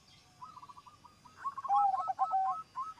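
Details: Zebra dove in full song, able to set other zebra doves singing along; soft low cooing notes build into a louder rolling, bubbling trill of repeated coos, with faint background hum.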